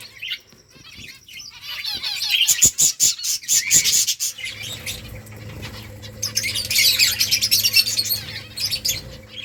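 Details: Finches eating rice give dense, rapid high chirps and twitters in overlapping bursts, with scattered clicks and wing flutters; a soft low hum runs underneath.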